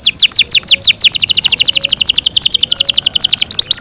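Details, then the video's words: Yorkshire canary kept by its owners delivers rapid, loud trills of sharply falling high whistled notes that speed up mid-phrase into a dense rolling chatter, then slow back to separate sweeps. "yorkshire canary long melodious sound"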